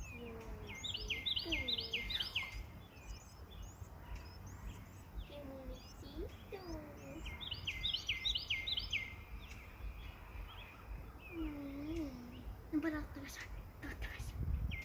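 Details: Sparrows calling outdoors: bursts of short, sharp chirps repeated rapidly in clusters, with lower whistled notes from other birds, steady low rumble of background noise throughout.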